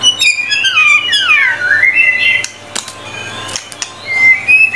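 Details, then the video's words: Energetic white-rumped shama tutor song: long sweeping whistles falling and rising in smooth arcs, then sharp clicks and a quieter pause before a high thin whistle returns, with a steady background hum. "MURAI BATU GACOR FULL 25 MATERI MASTERAN MEWAH 100% MASTERAN MURAI BATU PALING AMPUH GACOR BANGET"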